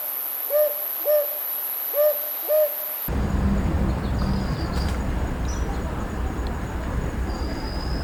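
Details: Brown hawk owl, a forest bird, in spring to early summer gives soft, mellow paired hoots, hoo-hoo, hoo-hoo, about half a second apart, then hissing background with faint high thin whistles.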